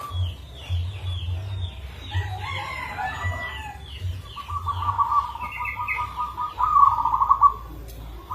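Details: Local zebra dove with a rare, unique rhythm, giving a lure song. Chirps from other birds and a low hum open the passage, then a long rolling trilled coo swells, ending in rapid beaded notes.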